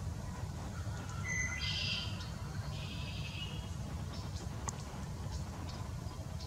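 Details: A Baltimore oriole in Southeast Wisconsin sings a short burst of rich, fluty whistled notes over a steady low rumble of wind or distant traffic.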